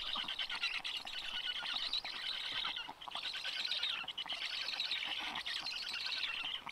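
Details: Nestling black storks in Karula national park on a cold, rainy 14 June 2022, during feeding by the father: loud, raspy wheezing calls in sustained bursts of one to two seconds, separated by brief breaks.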